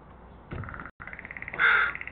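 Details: Northwestern crow recorded on 10 December 2020 around 09:37, giving a nasal, buzzy caw with a steady harmonic drone, briefly cut off, then resuming and swelling into a louder harsh note, over faint background noise.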